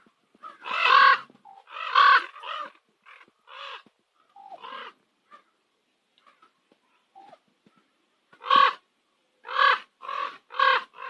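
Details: Common ravens calling at sunset on Nose Hill in Calgary: loud, harsh, broad croaks, some paired and some in quick runs, with a quiet gap in the middle before another burst of hoarse croaks.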